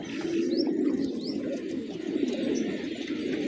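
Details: Feeding village pigeons in the morning coo in a low, throaty chorus, with one clearer drawn-out coo early on and two quick rising high chirps from another small bird.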